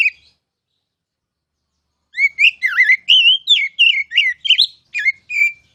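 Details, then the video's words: Oriental magpie-robin tutor song: after a short note and two seconds of silence, a loud burst of rich, varied whistles, twisting up and down in quick succession, ending on a steady held note. "KICAU MASTERAN KACER CALON JUARA!!!"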